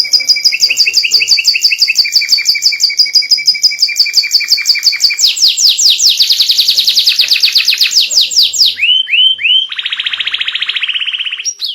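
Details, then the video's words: White canary in full lively song, played to coax young canaries into singing. There is a long double-pitched rapid trill and then a dense rolling section. Three upslurred whistles and an even buzzy rattle follow. "Masteran kenari putih gacor ‼️ buat pancingan paud ikut bunyi"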